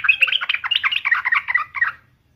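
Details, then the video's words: A sooty-headed bulbul, recorded as a daily lure to get other bulbuls singing, pours out a fast, bubbly run of warbled mid-pitched notes for about two seconds, then stops; nothing else is heard. "KICAU SUARA trucukan gacor"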